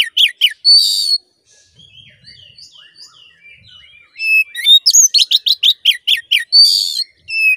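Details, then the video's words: Caged-bird lure song of an oriental magpie-robin (kacer), meant to rouse a male's fighting mood: sharp repeated chips and a harsh buzzy note, soft wavering whistles in the middle, then a rapid series of loud high notes and another rasp. "Suara Pancingan Kacer Agar Cepat Emosi Gacor ! Pancingan Paling Ampuh Buat Menaikan Emosi Kacer"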